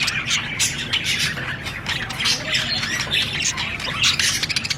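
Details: Budgie parrot giving fast, chattering squawks and thin high chirps, a continuous scratchy warble with slight rises in loudness.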